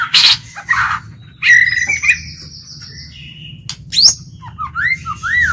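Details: Decoy white-rumped shama singing to lure and train other shamas: varied song of harsh rasping bursts, clear drawn-out whistles and quick rising-and-falling fluted notes, rich and loud against a faint low hum.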